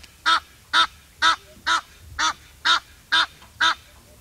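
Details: Egyptian goose calling rhythmically: eight hoarse, nasal honks delivered at a regular pace of about two per second against a quiet backdrop.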